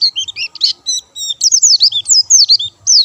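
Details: White-eye singing hard, without doping: a short, loud burst of varied high notes, some buzzy, others clean descending slurs, tumbling quickly one after another.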